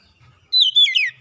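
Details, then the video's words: Kacer lure song: a brief high whistle sliding into a warbled falling phrase, about half a second long. "kicauan Kacer pemikat | Kacer malas bunyi terpikat langsung gacor"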